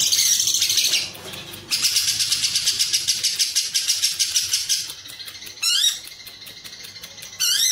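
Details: Ngekek from a lovebird, long Cililin fill used to train contest birds; shrill fast chattering trills fill the first five seconds, followed by clipped bursts and sharp rising squeaks.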